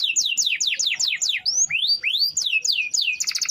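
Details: Canary long-roll song for daily tutoring of other birds: quick descending whistled sweeps at about five per second, a few long upslurs, more falling notes, and a closing burst of rapid trilling.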